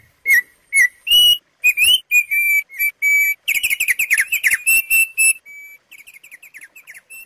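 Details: Thick-billed white-eye song for luring and tutoring caged birds, with bursts described as tembakan. Loud, clear whistled notes come in quick succession, then a dense jumbled twittering passage, closing with soft, fast, repeated chips.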